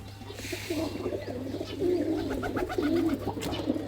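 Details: Newly collected Jalali pigeons (rock pigeon) kept with wings tied inside a netted farm in Bangladesh: deep, rolling coos repeat over several seconds, overlapping low murmurs from more than one bird, with faint rustling in the background.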